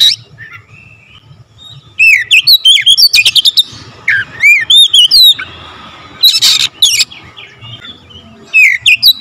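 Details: Oriental magpie-robin (kacer) in full, rapid-fire song with varied filler phrases: bright whistled notes sweeping between high and mid pitch, bursts of sharp chirps and buzzy rattles packed closely, brief pauses between phrase clusters.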